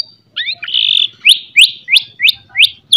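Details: White-rumped shama singing in the morning, a loud phrase meant to provoke fighting shamas: a brief buzzy whistle, then six sharp upslurred chips repeated roughly every third of a second.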